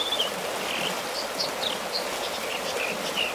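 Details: American dipper song near Bishop, California, about 10 miles northwest, the bird singing and bobbing on its rock; a string of brief high whistles and buzzy slurred notes over loud rushing stream water.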